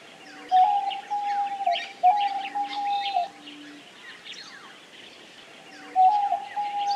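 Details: Paired long, level coos of a diamond dove, each about a second, then a pause before the cooing resumes, with a low soft tone between and constant high chirping of small birds.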